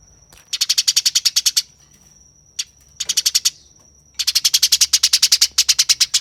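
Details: Eurasian tree sparrow in fighting mode: rapid, harsh, evenly spaced chips in dense bursts of about a second, with a steady high whine running through the gaps.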